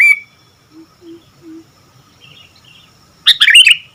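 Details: A short whistled note opens, then a quiet gap with faint low hums, before a sooty-headed bulbul in lively song ends with a loud, bubbly cluster of rapid chirps.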